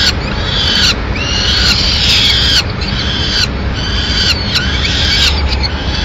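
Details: Peregrine falcon, female bringing a pigeon to the nest in Madrid, 6 May 2016; long, harsh whining cries with a downward slur, about one per second, above steady low urban drone.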